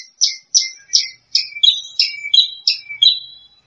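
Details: Lark, locally branjangan, a second-place champion bird, delivering spaced buzzy chirps roughly every half second, the later notes dropping into lower drawn-out tones.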